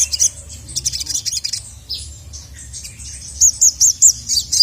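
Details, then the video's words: Crimson Sunbird (sogon, sogok ontong) calling a male in agitation: scattered high, thin chirps early, then a run of five sharp, evenly spaced high chirps near the end, over a low steady hum. "SOGON MANAPUN NGAMUK GACOR LANGSUNG EMOSI dengar masteran burung sogon memanggil jantan ini"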